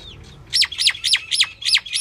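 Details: Calling female Indian myna (common myna): after a brief pause, six rasping, downward-sweeping notes repeated about three times per second over a low background rumble.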